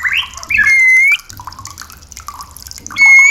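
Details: White-rumped shama song used as a lure to bring caged birds into breeding condition and mating: clear whistled notes, one long slightly rising whistle, a quiet pause, then a fresh rising whistle at the end.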